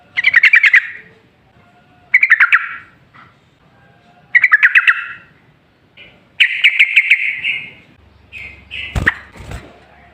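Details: Yellow-vented bulbul song, used as a lure to make other bulbuls sing back: short bubbly, rapidly warbled phrases roughly every two seconds, the fourth longer and more sustained, then a sharp click-like noise near the end.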